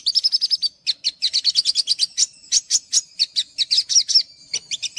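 Olive-backed sunbird giving fast bursts of thin, high chips and twitters, with short pauses between runs. No other sounds intrude.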